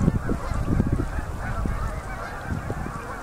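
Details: Canada geese arriving in big October flocks on a river in Manitoba at sunset: rapid, irregular overlapping honks, loudest at the start and easing slightly, with a deep rumble beneath.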